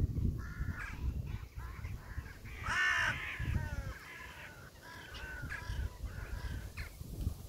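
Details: Crows calling outdoors: a loud harsh caw near the middle stands among several shorter, fainter caws from other crows, with low background rumble throughout.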